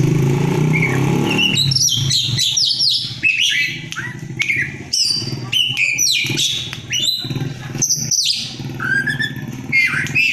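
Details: Kept Oriental magpie-robin, a fighter bird, singing loudly after being fed banana-leaf caterpillars, with its tail fanned to provoke a rival. Varied sharp whistles and chirps, some rising and some falling, come over a steady low hum in the first seconds.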